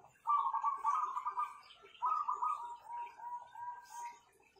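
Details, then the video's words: Kept zebra doves, praised for the power of their voices, give rolling trilled coos: two long purring phrases, the second ending in a string of short, evenly spaced soft notes, with faint room noise and ticking behind. "Perkutut-perkutut ini Power suaranya mantapnya bukan main"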